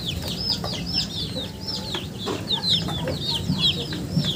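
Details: Chickens producing a busy run of high, falling peeps from several birds, with soft clicks and a low background rumble.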